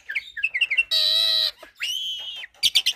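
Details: Black-collared starling with Nias myna and hybrid song in a tutor recording: quick bubbling chirps, then a long harsh nasal screech, a sustained whistled note, and a closing clatter of sharp clicks.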